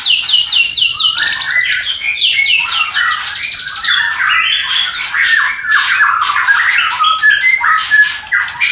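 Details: Murai batu (White-rumped shama) mating sound, used to raise breeding urge in a newly paired, not-yet-breeding couple; rapid descending trills and chattering rattles give way to mixed whistled phrases and harsh notes, almost without pause.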